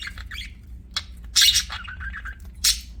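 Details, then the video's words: Pet budgies give a quick chirp, a loud harsh screech, then a descending warbled trill and another shrill squeak. "BUDGIES CHIRPING SOUND"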